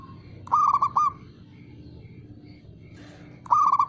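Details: Two bubbling, stuttered coo phrases from a male zebra dove (local perkutut), a few seconds apart, over a low rumbling background with faint high ticks.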